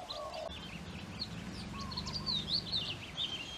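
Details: Busy Japanese White-eyes, or Mejiro, in a Maui, Hawaii yard during spring or summer 2020, giving bright, high, sharp chirps and short slurred tweets in quick succession, with a lower whistled note from another bird and faint background rumble.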